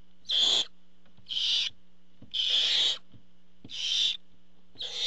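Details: Barn owl nest as food is delivered by the father: a run of five rasping, hiss-like screeches, each short and noisy, coming at a steady pace of about one per second.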